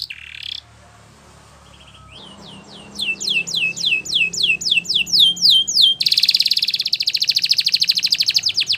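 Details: Belgian canary song for training, with a burst of downward-sweeping notes repeated steadily, followed by a loud, very fast buzzing trill; a short harsh note opens the passage.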